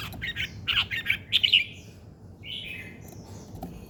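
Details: Bird song heard in the morning: a quick burst of bright chirped notes in the first two seconds, then a longer sliding warbled phrase, above a low background hum.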